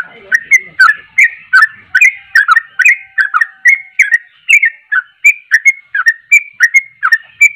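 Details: Sooty-headed bulbul singing vigorously, said to set other bulbuls off: a string of short whistled notes, each dipping then rising, about one and a half per second, fairly irregular, with a faint low note at the start.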